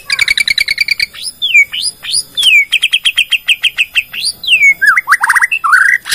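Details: Shama from Borneo delivering a lure song that displays its repertoire to set other shamas singing; fast repeated high notes alternate with swooping whistles, ending in a short stuttering phrase.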